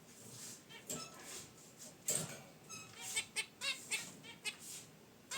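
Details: Caged zebra finches relaxing by their wicker basket nest, original unedited audio: short scattered chirps and nasal honks at irregular intervals, with soft rustling and clicks between calls.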